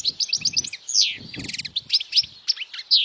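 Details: European goldfinch singing loudly for young goldfinches to memorize: quick chirps, a buzzy downslur, a rattling trill and sharp tinkling notes, with soft low flutters beneath.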